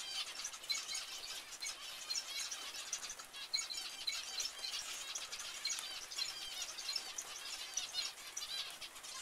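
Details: Zebra finches in dense, continuous chatter: many overlapping short, high chirps and nasal calls with no pauses, suggesting a group calling together.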